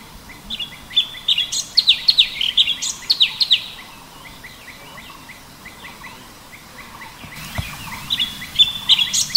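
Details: Orange-bellied Leafbird singing a full 'tembakan': a loud, dense stream of high whistles and chips, easing into a stretch of quieter repeated chirps before another rapid, shrill burst begins.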